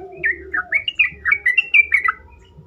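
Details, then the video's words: Yellow-vented bulbul song used as a lure to prompt other bulbuls to answer and sing more: a quick bubbly run of short warbled notes rising and falling, about ten notes in under two seconds, with a low background hum. "pancingan trucukan terkomplit"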